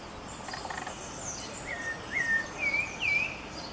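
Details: A Pale-breasted Thrush (Turdus leucomelas) vocalizing: four short, slurred, mid-pitched whistled notes over a steady hiss of insects with faint high calls behind.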